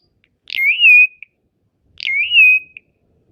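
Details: Asian pied starling, a song competition champion, repeats a whistled phrase twice, about one and a half seconds apart. Each opens with a harsh burst and rises into a drawn-out level whistle, in clean quiet surroundings.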